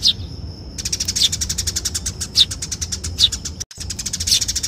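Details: Eurasian tree sparrow (Passer montanus) fighting call, challenging rivals: a fast, continuous scolding chatter of harsh metallic chirps, with sharper chirps breaking through about once a second.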